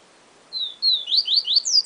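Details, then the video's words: Yellow-bellied seedeater (papa-capim) singing in the siu siu style: a level whistle, then a second, followed by a quick run of sharp, high, downslurred notes, clean and close with a quiet background. "Papa Capim Siu Siu Professor"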